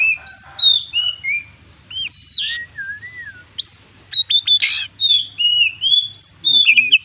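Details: Oriental magpie-robin, a kept songbird, in energetic full song: fast succession of varied slurred whistles, a wavering lower warble, rapid sharp chip series and a harsh rasping burst, continuing almost without pause over a faint hum.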